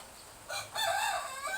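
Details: Rooster in a village behind a house in Indonesia, crowing to greet the morning during soft drizzle: a brief, harsh, strained crow that rises then holds, with a quieter lead-in note before it.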